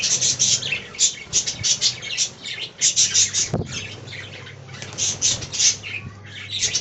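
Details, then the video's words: Colony of caged budgerigars producing rapid, repeated sharp chirps and scratchy warbles, roughly three per second, with one thud midway and a low hum in the background. "Budgie Talking Compilation"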